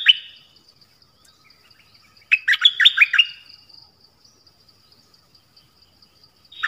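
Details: Nok dok taeng song of the 'phleng boen' type, played for young birds to copy. A single lively phrase of about six swooping whistled notes, set between long quiet stretches with brief note fragments at each end.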